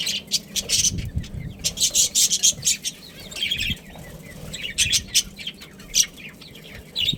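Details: Australian parrots in a budgerigar breeding pair: rapid, repeated loud chirps in bursts, separated by softer warbled chatter.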